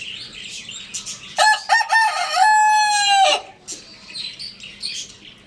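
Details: A Lohmann Brown rooster gives one full crow: a few choppy rough syllables, then a long sustained ringing note that cuts off abruptly. Soft high twittering from small birds continues before and after.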